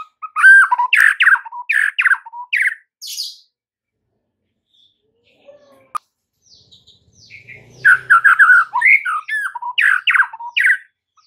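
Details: White-rumped shama song used as a master for caged birds, said to stir silent birds into song: dense bursts of whistles and harsh chattering notes, a pause with a click, then another lively burst.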